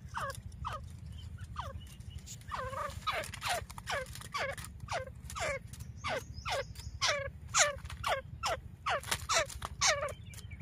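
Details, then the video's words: Female grey francolin call used in hunting, recorded in Layyah, Punjab, Pakistan: a long run of harsh notes sweeping downward, coming quickly one after another and growing busier in the middle, over a steady low hum. "تیتر کی آواز شکار ویڈیو مادی کی آواز"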